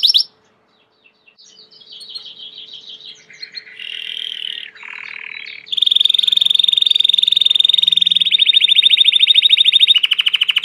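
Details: Belgian canary, a domestic canary, singing a long varied song: short whistled phrases shifting pitch, then fast buzzy trills and rapid rattling notes repeated several times a second.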